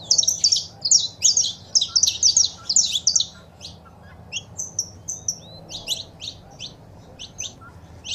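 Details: Saffron finch female calls with a male singing, to stimulate pet birds; dense fast high chirping for three seconds, then sparser single chirps and short whistles.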